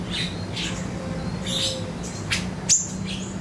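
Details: A siri-siri, recorded as a lure for magpie-robins, gives short, high, scratchy chirps about twice a second, with one sharp, thin squeak near the end, over a steady low electrical hum.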